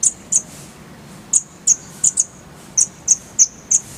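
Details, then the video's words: Oriental white-eye (konin) on a masteran recording: short, sharp, very high chips, given singly or in close pairs at irregular intervals. "Masteran Konin"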